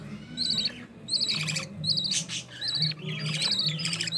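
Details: Growing green-series budgerigar chicks fed by their mother in the nest, one carrying opaline; quick trilled chirps repeat in tight clusters over a second or so, mixed with scratchy squeaks and a faint background hum.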